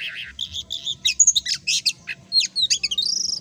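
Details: Vigorous ngobra-style singing of oriental magpie-robin (kacer), used as master audio for group-kept birds: quick jumble of high chirps, sharp downward slurs and short trills, ending in a rapid rattling run.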